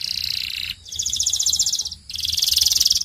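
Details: Belgian canary delivering three bursts of very fast, buzzy, rolling trills, each held for about a second, with short pauses between them.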